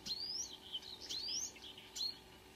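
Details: Marsh warbler singing at 5 a.m. on 2 June 2009 at Kråkstad near Ski, Norway, with a couple of singers present. Two long, clear whistles sweep upward, separated by short high chips and twittering notes, and a brief sharp note comes near the end.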